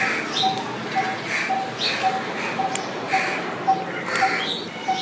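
A Coppersmith Barbet gives a steady, metallic 'tuk' about twice a second, like hammering on metal, over chirps from other birds.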